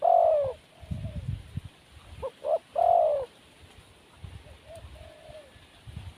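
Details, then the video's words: Spotted dove in the wild cooing: a long falling coo opens, then after a pause two brief notes and another drawn-out coo, with faint distant coos and low rumble behind. "Burung Tekukur Liar Kurang Mental"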